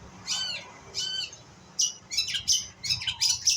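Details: Juvenile White-rumped shama learning its song, producing harsh, raspy squawking notes, two spaced apart at first, then a denser scratchy cluster of buzzy high bursts.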